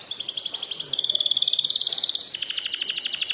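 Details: Canary song intended to prompt lazy canaries into singing: continuous rapid, rattling high trill with pulsing rhythm, shifting lower midway, over light background hiss.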